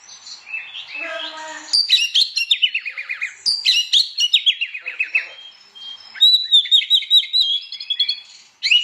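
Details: Oriental magpie-robin singing loudly and persistently in the morning, meant to rouse other magpie-robins into singing; rich varied phrases of rapid descending trills, sharp whistles and chattering notes, ending in a sustained high wavering warble.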